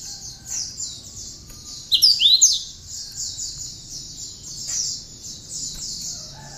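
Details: Tame, often-singing cinereous tit with learned bar-winged prinia (ciblek) song, used as a master bird: a rapid, buzzy high trill throughout, interrupted once by a loud cluster of sharp whistled sweeps.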